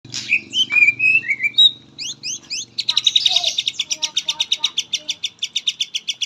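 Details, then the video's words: Caged white-rumped shama from Indonesia, song filled with katem phrases: varied whistles and slurred notes, then a fast run of short, evenly spaced chips repeated many times per second to the end. "muray pastol isian katem"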